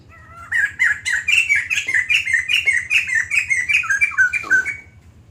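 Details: White-crested laughingthrush singing a long, continuous bout: a rapid run of loud, slurred, chattering notes repeated about four times a second, with a faint low hum underneath.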